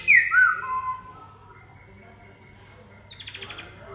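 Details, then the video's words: Black-throated laughingthrush giving a few loud, ringing whistled notes that slide downward, then a long quiet stretch ending in a short, rapid burst of higher chattering notes. "Khướu bạc má ...!"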